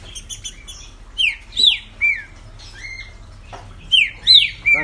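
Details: Caged green-winged saltator in Brazil, noted as a quick singer during the 2020 competition season, delivering loud ringing whistles, swooping down-and-up slurs in repeated pairs after a rapid stuttered start.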